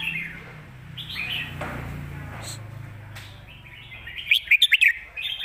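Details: Red-whiskered bulbul singing a southern master song over low rumbling background noise: soft warbled phrases early, then a crisp run of five sharp chirped notes near the end.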